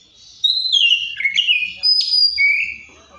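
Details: Song of the Oriental magpie-robin: a long descending whistle breaking into a quick warble, then a high thin whistle and a lower rising slurred note.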